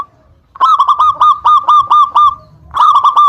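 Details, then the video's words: Local zebra dove (perkutut lokal) singing to lure and provoke rival birds into answering: loud bursts of short, hooked cooing notes, about eight in quick succession, then a pause before another burst begins. "Suara Pancingan Perkutut Lokal Gacor Suara Paling disukai Memancing Lawan Langsung NYAUT"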